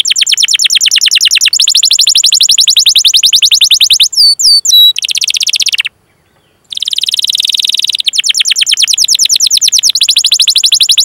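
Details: Long rolling canary song for training birds to sing: extended rapid, buzzy trills with a brief cluster of slurred whistles and a short silent pause midway.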